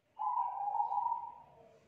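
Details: Spotted dove, a young wild-caught bird kept as a song model, giving a loud thick cooing song: one long steady low hooting note that fades at the end, with a quiet background.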